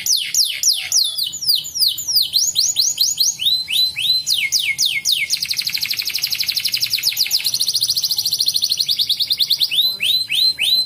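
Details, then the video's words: Canary sings a long, high, rolling song of rapid repeated sweeping notes, running into fast buzzy trills and then back to quick slurred phrases; played to encourage other canaries to sing. "PANCING BURUNG KENARI BAHAN JADI RAJIN BUNYI"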